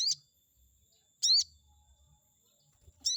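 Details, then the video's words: Chestnut-backed scimitar babbler sound used as a lure to provoke a rival bird into responding: bright, squeaky, high notes with an upward twist, spaced about 1.3 seconds apart, in a quiet setting. "pancingan burung sogon auto emosi || bikin respon sogon lawan"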